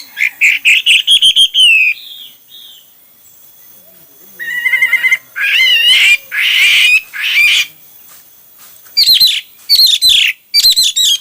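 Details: Hwamei showing many song styles: a fast whistled trill, a pause, rippling warbled phrases and harsher bursts, then sharp, high, repeated whistled notes near the end.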